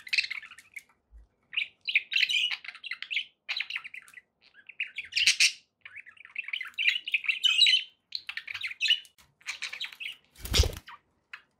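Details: Budgerigars kept as pets chirp happily in long runs of rapid, scratchy warbling and squeaky notes, with a sharp loud click-like burst near the end and a faint low thump early on.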